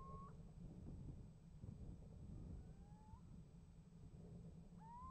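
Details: Little owl exchange recorded at a nest box in January 2015: the tail of a loud upslurred call, a faint distant answer in the middle, then another strong rising mewing call near the end, against heavy low rumble.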